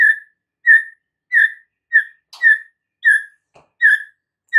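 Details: White-rumped shama repeating one clear mid-pitched whistle about every two-thirds of a second, part of a training recording meant to prompt caged shamas to answer.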